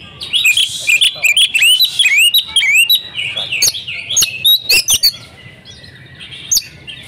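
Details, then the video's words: Oriental magpie-robin female giving a lure call meant to provoke mute males: rapid rising whistled notes and sharp chirps for about five seconds, then fading into soft faint twitter. "pancingan kacer gacor ,cocok untu memancing kacer bisu || kacer betina"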